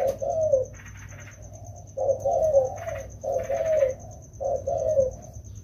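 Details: Two wild-caught spotted doves being trained during the rainy season, calling indoors: rounded, slightly falling coos in short phrases, repeated about every second, with a steady high electrical whine in the background.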